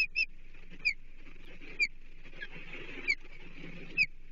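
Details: At a Chesapeake osprey nest, 14 July 2023, during delivery of half a blueback herring, the day's sixth fish: sharp whistled chirps that drop in pitch, given singly about once a second, over constant low rumble.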